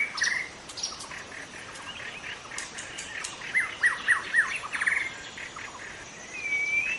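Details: Forest white-rumped shama singing naturally, suitable for drawing in other shamas: a string of clear repeated whistles, surrounding chirps, ending on a drawn-out rising whistle.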